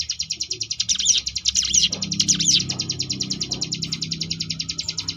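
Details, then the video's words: Ciblek gunung singing the ngebrem style, a contest-training recording: a steady high rattle laced with several swooping whistled notes in the first half, the pulsed trill continuing evenly afterward, with faint low background murmur. "cigun ngebrem variasi"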